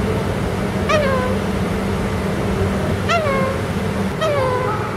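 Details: A 47-year-old Sulphur-crested Cockatoo, the oldest parrot at Hounslow Urban Farm and still talkative, gives three short, drawn-out, meow-like utterances that slide downward, spaced one to two seconds apart, over a steady low hum.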